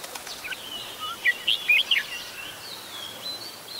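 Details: Red-whiskered bulbul, an adult, recorded 16 December 2020 at Ubon Ratchathani, Thailand. A short rapid cluster of sharp, bright chirps is followed by softer, drawn-out notes, with constant background hiss throughout.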